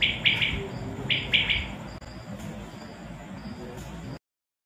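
A quail gives two bright, quick bursts of high chirping notes about a second apart, then falls quiet over a steady background hiss.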